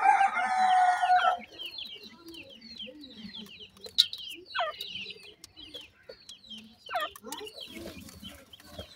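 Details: Francolin chicks, called teetar or Indian partridge, being fed in care, giving many short high cheeping notes in irregular quick bursts after a loud harsh opening sound lasting about a second.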